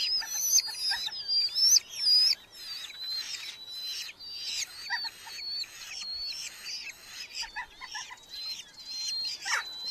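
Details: Nest-box Red-footed falcons in a big Hungarian colony in July 2025, chicks being brought beetles; grating, scratchy calls come in short uneven bursts, mixed with thin whistled notes sliding up and down.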